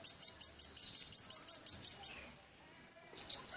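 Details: Energetic velvet-fronted nuthatch song: a fast, even run of about twelve piercing high chit notes, roughly six per second, followed by a short silence and the start of another burst.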